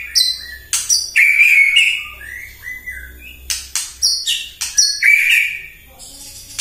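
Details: White-rumped shama in full morning song, used as a lure to provoke rival birds. Crisp clicks alternate with high pure whistles and long slurred warbles, repeated in bursts about four times a second.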